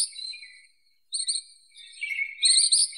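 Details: Ashy minivet (Pericrocotus divaricatus), song: high, metallic jingling trills in short bursts, with brief pauses between phrases; no other sounds stand out.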